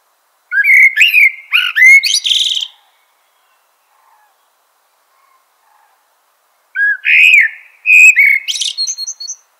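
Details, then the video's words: A Eurasian blackbird sings rich fluted phrases with sharp upward slurs and buzzy high endings, followed after a quiet pause by a similar warbled phrase. "Eurasian Blackbird Call Song Sound"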